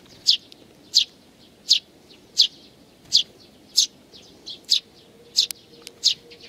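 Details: Recorded 8 May 2019, a balding sparrow and nestlings give clear, high chirps repeated roughly every 0.7 seconds, ten in a row, with a faint low hum joining late in the sequence.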